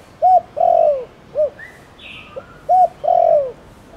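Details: Thổ Đồng cooing by a spotted dove, used to get other doves calling. Two phrases, each a short hollow note, a longer coo gliding downward and a brief final hoot. A few faint chirps from other birds are also heard.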